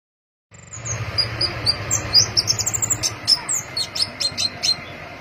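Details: Flowerpecker, known locally as pentis pelangi or kemade, singing actively: a busy string of very high, thin chirps and short sliding whistles, closely spaced, over a low background rumble.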